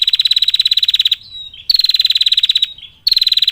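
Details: Rapid buzzy trills from a female bar-winged prinia calling males, a long 'ngetir' call. Three bursts of fast, even pulses are separated by short gaps holding soft thin whistled notes.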